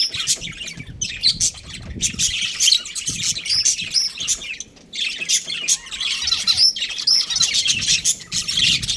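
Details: Chattering budgerigars, a breeding pair, producing rapid, overlapping high chirps and short whistled squeaks in two long bursts separated by a short pause.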